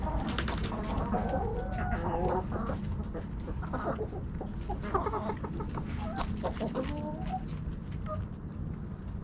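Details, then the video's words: Backyard hens and roosters snacking at Thanksgiving: busy overlapping clucks and brief squawks from a flock, some rising notes, with a constant low-pitched background hum. "Backyard Chickens Thanksgiving Snacking Sounds Noises Hens Clucking Roosters Crowing!"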